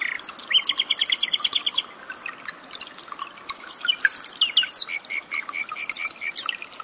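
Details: Common nightingale singing, mixed with trickling water for training pet songbirds: a fast burst of repeated high chips, then varied whistles, slurred notes and scattered twitters above a constant high hiss.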